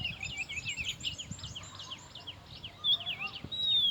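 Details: Oriental magpie-robin singing quietly amid background noise: a run of short, quick whistled notes that flick up and down, followed by a few clearer, longer sweeping whistles near the end.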